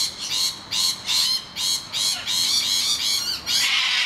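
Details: Rainbow lorikeets in distress screech while noisy miners attack their nest hollow. About seven loud, rasping, drawn-out screams follow one another with short gaps. Each is harsh and wide-ranged with a shrill core.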